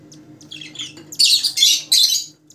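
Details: Rosella from a set of colour mutations: soft chatter builds into three loud, grating squawks in quick succession, over a steady low mechanical hum.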